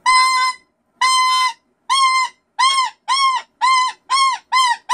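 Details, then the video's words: Pet cockatoo screaming indoors for no particular reason, just something to do: a series of loud, steady, harmonic-rich shrieks about one per second, the first ones long and flat, the later ones shorter and arched. "There doesn't have to be a reason to scream. It's just something to do."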